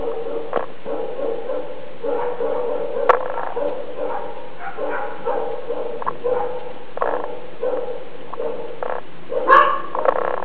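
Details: Monk parakeet chick about 30 days old, fast asleep, making soft snoring sounds: short raspy mid-pitched puffs repeated roughly every half second to second, in a steady rhythm, with one slightly louder squeaky note near the end.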